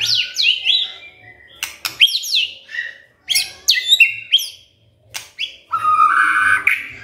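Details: Varied magpie-robin song meant to prompt a quiet bird to sing: sharp descending whistles and chips in separate bursts, some very high and piercing, closing with a rich, loud, scratchy warble.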